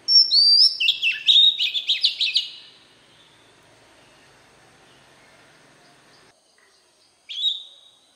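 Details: Wild-type voice of an Oriental magpie-robin: whistled rising opening into a quick rattle of clipped notes lasting about two seconds, a long quiet gap, then one short whistled phrase.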